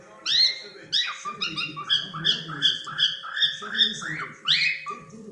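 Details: Cockatiels playing indoors: a quick run of bright, rising then falling chirps repeated roughly every half second, sounding like chattering whistles, over a faint low background murmur and a constant hum.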